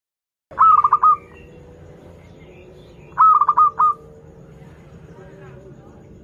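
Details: Local zebra dove in good voice, used as a lure for young birds learning to sing: two phrases of a rolling, stuttered cooing trill, each opening with a clear note and then a run of quick pulses, about two seconds apart.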